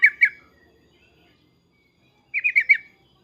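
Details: Yellow-vented bulbul calling emotionally with loud 'cukcuk' notes to draw replies from other bulbuls: a pair of sharp, bubbly chirps, a long pause, then four quick warbling notes in a tight row.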